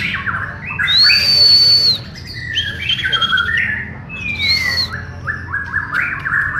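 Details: Murai batu Borneo, a white-rumped shama, in a shared training session, pouring out a varied song: two loud long high whistles separated by jumbled mid-pitched chattering phrases and sliding notes.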